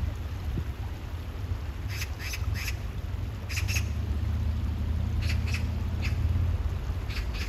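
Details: Repeated rasping calls from an Oriental magpie, short harsh notes in clusters of two and three spread across the recording, over a rumbling low background.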